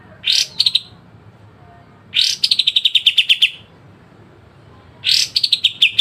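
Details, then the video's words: Pied triller song in a sharp, very clear style, used as training material for other songbirds: three phrases, each a loud swelling burst followed by a quick string of short, bright high notes that fall slightly in pitch. "kapas tembak dengan besetan tajam"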